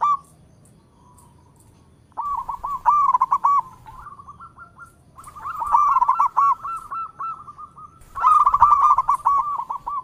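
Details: Local zebra dove (perkutut) in full song, calling in all directions: three separate phrases of rolling, trilled cooing, each a bubbling run of quick pulses, with quieter soft coos between them.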